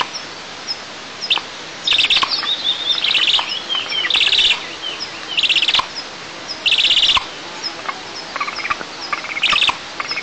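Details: Eagle chicks at a nest camera in the oil-and-gas districts of southeast Tatarstan, 6 July 2024, protesting that their mother eats alone: loud, high squealing chirps in bursts of about half a second, with brief pauses and a sliding whistled note.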